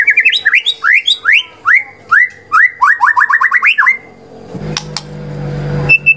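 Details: White-rumped shama, apparently a kept bird, belting out a rapid chain of rising whistled notes, each sliding upward, repeated about twice a second, then fading to a faint clatter and low hum.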